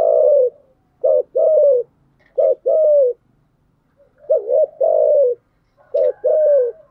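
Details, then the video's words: Decoy spotted dove, a female, cooing to lure and excite wild doves, in the thúc gù and gáy gọi styles. Low mellow coos come in paired phrases: a short wavering note, then a longer steady falling coo, repeated about every 1.3 seconds. "Tiếng chim cu gáy mồi giọng lôi cuốn hấp dẫn đủ bài[ THÚC GÙ , GÁY GỌI ]"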